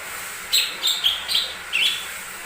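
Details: Lesser green leafbird song used as a lure to provoke other birds into singing: five short, bright whistled notes, some sliding upward and others dipping, spaced about a third of a second apart over a faint steady hiss.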